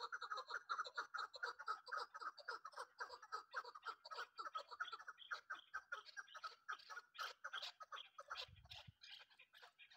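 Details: Hunting-bred local chukar partridge giving a fast, steady run of clucking chuck notes, about four per second, rising and falling in loudness, with a brief low bump near the end.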